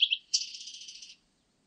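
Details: Blue-and-white Flycatcher: two quick high whistled notes followed by a rapid, even buzzy trill lasting under a second, then silence.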